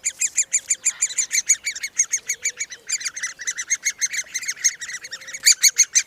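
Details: Great spotted woodpecker chicks in a nest cavity under a bracket fungus, England, beg loudly as the female brings food; shrill, squeaky calls repeated rapidly, about three per second, in a continuous chattering stream.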